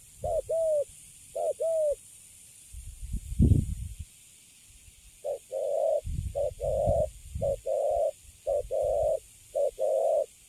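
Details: A wild-caught spotted dove, calm once put in a cage, cooing: clean hollow coo notes, two paired at first, then a steady series of short even coos about twice a second, with low rustling thumps between.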